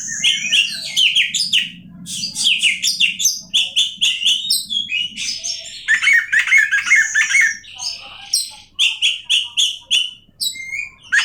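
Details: Oriental magpie-robin in full, loud song: dense, rapid sequences of sweet whistles, trills and harsh buzzy notes, phrases running almost continuously with a few short pauses.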